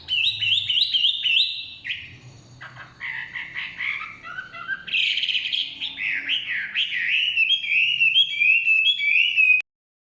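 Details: Chinese hwamei singing in the forest: a long varied song mixing quick repeated whistles, harsher chattering notes, and sweeping slurred phrases, ending abruptly.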